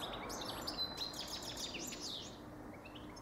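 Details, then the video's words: Goldfinch song in a short burst of fast, tinkling twitters and one clear thin whistle early on. The notes fade out toward the end over low environmental noise. "Goldfinch Best Song Ever"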